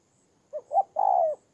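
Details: Spotted dove used as a ground decoy in Kon Tum, Vietnam: a single brief phrase of two quick soft notes leading into one longer, smooth low coo.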